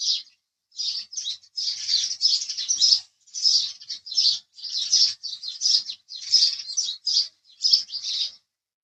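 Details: House sparrow chirping in an irregular string of short, sharp notes, some doubled or tripled, spaced by brief gaps over several seconds.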